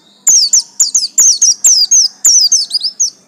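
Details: Loud, continuous twittering from a garis kuning buxtomi pleci white-eye: a steady series of sharp, high falling chirps in quick pairs, nearly without pause for three seconds.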